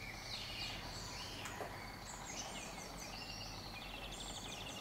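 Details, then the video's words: A small common blackbird sings high, squeaky twittering notes and quick slurred phrases over a steady low background rumble. "Fekete rigócska énekel."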